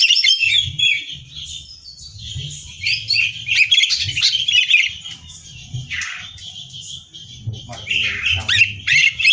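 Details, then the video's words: Greater green leafbird in vigorous song used to prepare birds for competitions: long stream of high whistles, chirps and buzzy trills, with brief dips and renewed bursts. "Cucak Hijau Gacor Hiper Ampuh Buat Bahan Lomba"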